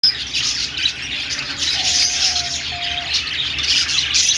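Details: Budgerigars, Australian parrots, chirping and singing: a dense, continuous high-pitched warble of rapid twitters and squeaks, with a faint steady tonal hum lower down around the middle.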